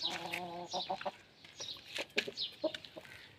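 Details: An Aseel rooster calling to a hen gives one short, nasal, throaty call, then a scatter of sharp clucks and clicks over soft background noise.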